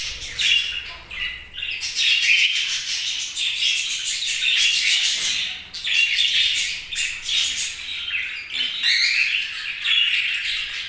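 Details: Budgies chirp in long, dense runs of scratchy, buzzy notes broken by short pauses, several birds overlapping throughout.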